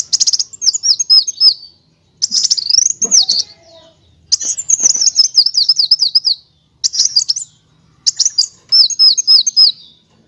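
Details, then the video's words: Kolibri wulung sunbird song used to train other birds: rapid, very high twittering bursts of quick up-and-down slurred notes, in bursts of one to two seconds with short pauses between. "MASTERAN KOLIBRI WULUNG, NYRECEKT NEMBAK, NGEROL BURUNG LANGSUNG GACOR"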